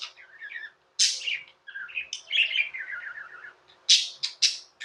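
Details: Pet budgies warbling: descending runs of quick buzzy notes, bright squeaks at intervals, and chattering phrases, with a faint mechanical hum throughout.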